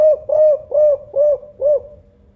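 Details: Local spotted dove of the Songgo Ratu Kuk 5 type, a loud-voiced, lively caller kept as a lure for other doves, giving five low, hollow coos in a steady series, each swelling and falling, roughly two per second, with a quiet low hum behind.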